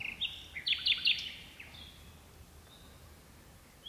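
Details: At dusk, deep in birch bushes, a nightingale, one of two singing, delivers a loud burst of rapid, chattering high notes in quick succession, then falls mostly quiet with only a few faint distant whistles.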